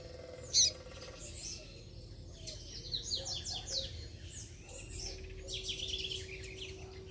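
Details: A free-flying Double-collared Seedeater sings quick runs of high, twittering notes, with a sharp chip near the start and a low steady hum underneath.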